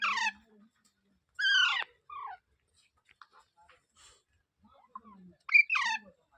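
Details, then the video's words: Parrot screeching in loud harmonic bursts that drop in pitch, with quieter chirps and low murmuring between them. "Natural Parrot Sounds"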